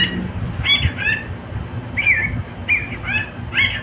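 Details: Pet cockatiel, a male, sings a series of short, rising-and-falling whistled notes in small bursts about every half second to a second, with steady low background noise.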